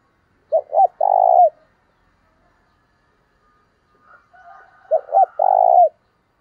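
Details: Spotted dove used as a lure, calling with a vigorous urging voice: two low coo phrases roughly four seconds apart, each of quick stuttered notes leading into a sustained purring coo, with faint twittering before the second.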